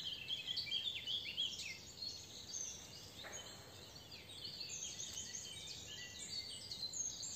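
A yellow canary gives dense, high, rapid chirps and twitters, several a second, over a steady background hiss. Other small birds may be calling at the same time.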